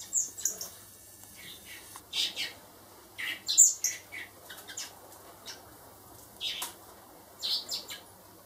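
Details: Four baby blackbirds reared by hand for later release produce scattered high, thin chirps and raspy squeaks, grouped in short bursts every second or two over a quiet background.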